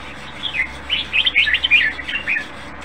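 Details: Caged red-whiskered bulbul delivering one rapid run of rolling, chirpy warbled notes lasting about a second and a half, with a faint steady hum underneath.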